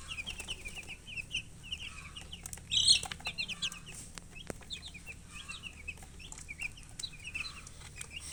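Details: Many domestic chicks, described as thirsty for water, chirping nonstop: short high peeps overlapping in a busy chorus, with a brief louder burst near the three-second mark and faint rustling and tapping underneath.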